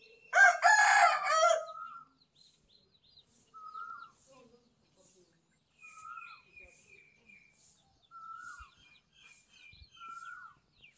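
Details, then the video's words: White rooster announcing the dawn in golden morning light: one loud, harsh, rasping crow of about one and a half seconds, then another bird's short whistled notes repeating roughly every two seconds, with faint chirps behind. "सफेद मुर्गा सुबह की आवाज🦻🗣️| The White Rooster Morning Voice"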